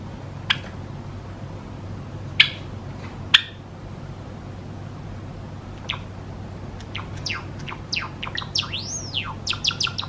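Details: Caged pet Java sparrow song from four-year-old males courting a white female: a few sharp isolated clicks over quiet room hum, then a quickening run of ticking notes building into a looping whistled arch near the end.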